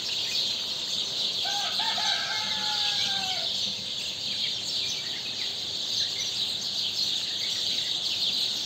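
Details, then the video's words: Rooster crowing at dawn, just after the dawn prayer, filmed 31 May 2023; one drawn-out crow with a stuttering start and a long level note fading at the end, over a dense, hissing chorus of small birds. "صياح الديك"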